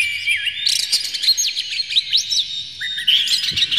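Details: Oriental magpie-robin in full, emotional song with its tail open, played to provoke other magpie-robins into singing; a busy cascade of high whistled slurs, rising and falling sweeps and quick chips, continuous throughout, with a faint low hum.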